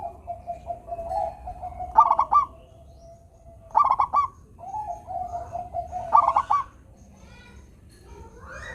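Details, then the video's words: Local zebra dove in full song meant to stir lazy doves: clipped, bubbly coo bursts about every two seconds over a steady low hum of another dove's cooing. "perkutut lokal gacor suara merdu"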